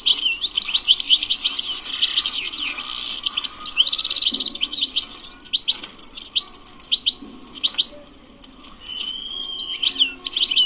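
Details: Energetic bebteh twittering from a wild European goldfinch. A dense, high, tinkling chatter fills the first half, then breaks into separated sharp chips and a few thin drawn-out whistles. A soft low murmur lies beneath.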